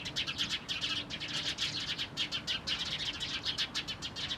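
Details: Eurasian tree sparrows chattering on 4 February 2012, with a dense, continuous stream of bright overlapping chirps, several per second, rising and falling in loudness as the birds call together.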